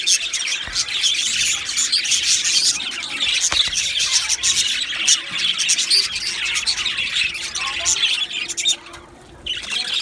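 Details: Aviary colony of Australian budgies keeping up a busy, overlapping warble of chirps and squeaky twitters, dipping briefly quieter near the end before the chatter resumes.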